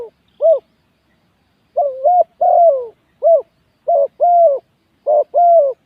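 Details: Decoy spotted dove cooing on a ground arena during a luring session: clear, hollow coo phrases, some doubled, others single short notes, given in bursts separated by pauses of about a second, with no other sounds.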